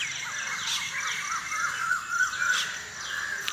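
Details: Dawn birds at about 5 AM, recorded unedited: a string of quick falling chirps and short warbled notes, several per second, with other distant birds and a continuous high-pitched insect-like buzz behind.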